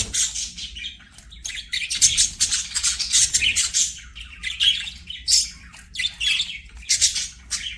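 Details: Playing budgies produce a lively warbling chatter of buzzy squawks and fast chirps, rising and falling in loudness in clustered bursts.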